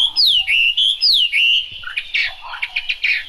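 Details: Singing in the rain, a Chinese hwamei gives clear swooping whistles that dip and rise twice, then breaks into a jumbled burst of short chattering and buzzy notes.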